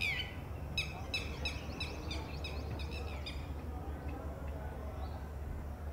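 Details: Female Red-wattled Lapwing calling from a distance as one of four eggs hatches in her ground nest, warning the newly hatched chick of possible predators; a rapid run of sharp, strident notes, each dropping in pitch, over a steady low hum.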